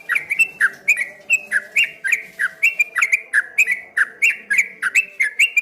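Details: Ropel ngombak banyu song of a streak-eared bulbul, a rapid wave of bright whistled notes falling and lifting in steady succession, without pause for the whole stretch.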